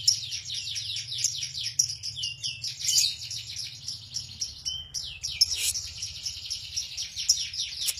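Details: Lovebird in the ngekek style, a long trilling song prized in bird-song contests and as a tutor for other songbirds, pouring out rapid high chattering downslurred notes almost without pause, briefly broken near five seconds, over a steady low hum.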